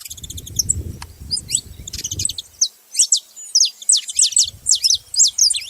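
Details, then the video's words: Saffron finch song: scattered thin, high chips at first over a low background rumble, then a string of loud, crisp, sharply downslurred notes delivered in quick bursts through the second half. "Canário da terra fazendo barulho"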